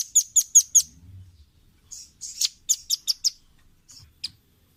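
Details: Caged-bird training recording of a velvet-fronted nuthatch: four rapid high chips, then a buzzy note and a second run of sharp piping notes, ending with scattered single chips.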